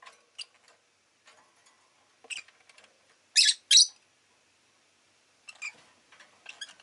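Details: Rosy-faced lovebird kept as a pet, making two loud, harsh chirps close together near three and a half seconds, with faint scattered ticks and softer chirps before and after.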